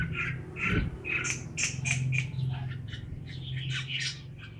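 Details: A single red-whiskered bulbul described as a promising, talented bird gives short bright chattering notes over a steady low mechanical hum, with the hum masking part of the phrases.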